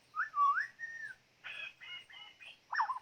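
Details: White-rumped shama song of clear, fluty whistled phrases, rising and falling, followed by quick warbled notes and a final rich flourish.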